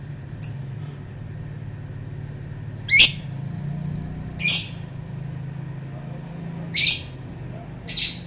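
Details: Lovebird calling: scattered loud, shrill, harsh chirps with irregular gaps, over a low rumbling background hum.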